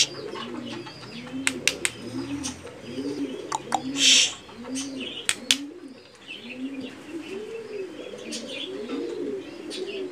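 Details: Mookee (Mukhi) pigeons, a domestic breed, cooing together: a steady run of low, arched, rolling coos about every half second, several birds overlapping, with sharp clicks and taps and a brief rustle partway through.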